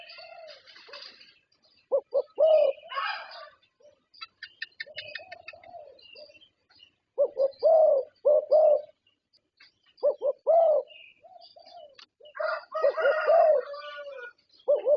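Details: Thai competition champion zebra dove cooing in several low, rolling phrases amid bursts of clicking, rustling noise and high chirps of other birds, with quieter stretches between phrases.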